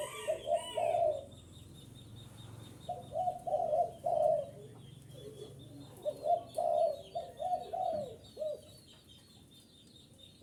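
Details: Cooing of a spotted dove for luring wild birds, grouped husky phrases with a gap of about two seconds early on, while a small bird keeps up fast, high, even chirping in the background.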